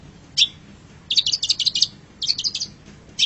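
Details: Long-tailed shrike master song for training caged birds: an opening high chip, then fast chattering trills in two bursts, and a final chip.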